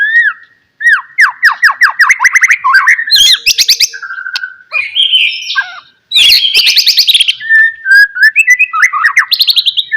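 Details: White-rumped shama song used as a lure to prompt other shamas to sing; loud, varied phrases of rapid descending whistled notes, buzzy bursts and sweet rising whistles, with brief pauses between bursts.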